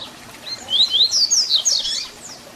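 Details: Tui Tui Zel Zel fibra song of a double-collared seedeater, a style used to teach young birds. A single loud phrase of rising, slurred high whistles runs quickly together, then fades into quiet background hiss.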